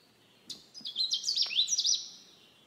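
A Canada warbler gives a quick, jumbled burst of sweet chips and warbled notes, high-pitched and lasting about a second and a half, over a quiet background.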